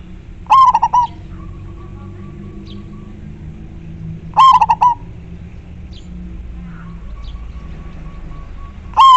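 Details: Clear, actively singing local zebra dove, majapahit type: cooing phrases roughly every four seconds, each a loud opening note breaking into rapid stuttered coos, with faint level whistled notes in the gaps and steady low hum.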